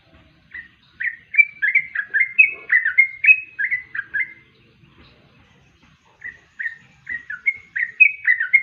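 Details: Yellow-vented bulbul singing in quick, liquid chirps that rise and fall in a continuous chatter, pausing for about a second and a half near the middle before resuming the bubbly phrases.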